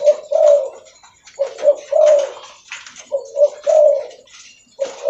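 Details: Spotted dove of the Leopard variety, very vocal and calling while walking: low, rounded coo phrases of two or three notes, each ending in a longer drawn coo, repeated every second or so, with faint rustling between.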